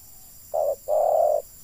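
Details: Spotted dove used as a decoy bird to lure wild doves into a trap: a short, low, steady coo, then a pause and a longer sustained coo at the same pitch, over a quiet background.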